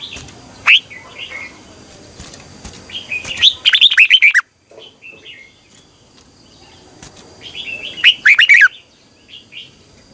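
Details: Red-whiskered bulbul giving a morning song in the long, twisting double-voice style, used as a lure to train and stir other bulbuls to sing. Scattered chirps lead to two bursts of rapid, rich warbled whistles, with sharp clicking sounds between phrases.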